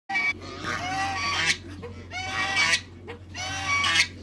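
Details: A pair of African geese with other waterbirds in a backyard farm, giving loud harsh honks in three bursts, each lasting about a second, over a steady low hum.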